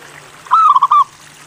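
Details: A single short rolling coo phrase from a local zebra dove, half a second long, with a faint steady low hum. The bird is a lively singer recorded to coax other doves into song.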